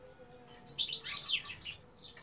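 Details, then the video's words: Female European goldfinch singing: a brief, dense burst of bright, high twittering and tinkling notes lasting just over a second, with a faint low hum underneath. "Dişi Saka Ötüşü | Female Goldfinch song"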